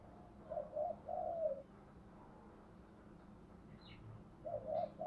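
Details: Spotted dove lure song used to entice wild doves for trapping, heard at a distance through steady background hiss: a few muffled, low coos early on, then fainter coos near the end, with a brief higher chirp in between.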